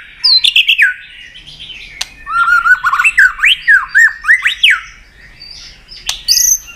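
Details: White-rumped shama in fighting song, flicking its tail with clicks to provoke a rival: sharp descending whistles, then a run of rising and falling slurred whistled phrases, broken by loud dry clicks and a high whistle near the end.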